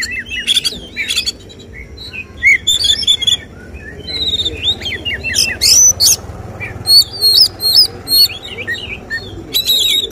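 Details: Contest magpie-robin singing the judges' favoured "tembakan" style. Varied whistled phrases and sharp chips come in short bursts separated by brief pauses, across about ten seconds.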